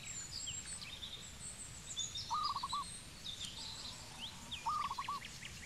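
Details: Zebra dove from Cambodia uttering two rapid, rolling coo phrases about two seconds apart, each of several fast notes, over a busy backdrop of high-pitched twittering birds and low steady noise.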